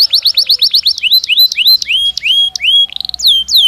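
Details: Song of a Belgian canary singing naturally, a run of quick downward-swept whistles followed by slower rising slurred notes and sharp high chips, bright and continuous throughout.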